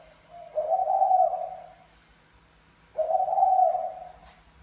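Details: Courting male spotted dove, Mã Phấn variety, urging a Bài Lối female: two husky, low coos about two seconds apart, each rising in loudness then tapering off.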